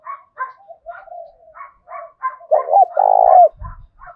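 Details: Spotted dove decoy singing in the 'thổ đồng' style to urge a rival male to fight: a run of soft, repeated breathy coos, then a strong deep double coo with a long vibrating final note, and a brief low thump.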